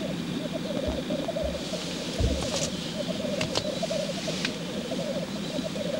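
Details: Black grouse males displaying at a lek. Continuous low bubbling rolls throughout, with scattered sharp clicks and a few low thumps in the first half.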